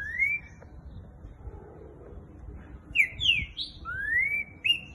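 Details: Green-winged saltator singing in the boiadeiro style: a rising whistle, a pause, then a rapid burst of falling and rising whistled slurs, with faint low background noise.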